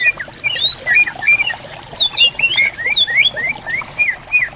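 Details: Greater green leafbirds exchanging song in bamboo forest along a river: loud, rich whistled slurs rising and falling, with sharp high flicks, repeated in close succession over trickling water.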